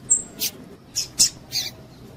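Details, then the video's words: A thin high whistle opens, then a female double-collared seedeater gives four quick, sharp chips in close succession, a call meant to excite males; quiet hiss underneath. "PIADO DE FÊMEA DE PAPA CAPIM PARA DEIXAR SEU PAPA-CAPIM DOIDO"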